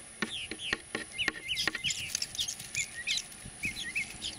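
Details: Purple martins breeding in gourds under a martin house in San Benito, Texas, on 26 May 2014 chatter in a steady stream of gurgling, liquid chirps and rising and falling notes, with sharp clicks and a thin high whine.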